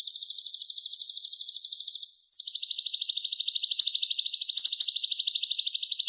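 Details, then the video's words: Kolibri ninja (sunbird) with a rich repertoire, used to teach other songbirds: a continuous, very high, rapid buzzing trill, briefly broken, then resuming slightly lower and steady. "KOLIBRI NINJA MEWAH ISIAN LENGKAP COCOK JADI GURU VOKAL UNTUK BURUNG JAGOAN KALIAN"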